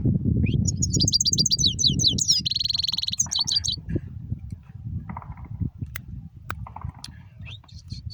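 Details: A European goldfinch sings a fast run of high tinkling notes, then a sustained buzzy trill and more twittering. A low hum runs underneath, and sparse faint chirps and clicks follow.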